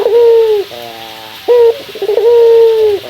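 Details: Male local Barbary dove calling a rival in the morning: a stuttered opening note, then a long, steady, low coo that drops slightly at the end, followed by a quieter harmonic-rich rolling coo, the pattern repeating.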